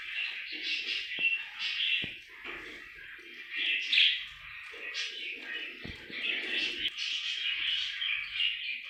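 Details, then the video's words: Happy pet budgerigar keeps up a rolling, scratchy chatter of chirps and squeaks, with occasional clicks and soft lower murmurs mixed into the continuous warble. "Happy budgie chirping sound"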